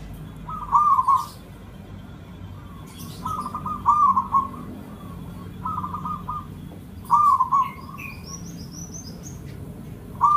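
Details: Zebra dove of local Javanese stock, song for luring birds: brief purring coo phrases repeated about every two to three seconds, with a thin high twittering bird late on and low hum.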